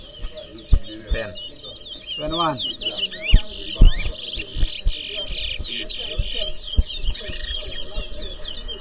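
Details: Caged towa towa singing in a bird whistling competition, New Amsterdam, Guyana: continuous high warbling twitter of quick varied notes, with a few descending buzzy runs, against music, speech and sharp knocks.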